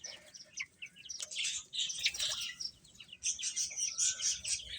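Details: Feeding chicks give a continuous chorus of shrill peeps, swelling into dense bursts, some notes sliding downward, over a soft background of pecking noise.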